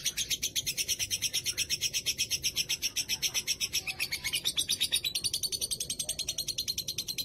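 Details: Rembang lovebird giving a lengthy ngekek after the pandemic break. Dense, high, rattling chatter repeats around four pulses a second and keeps going without a break, slightly shifting in tone after the middle.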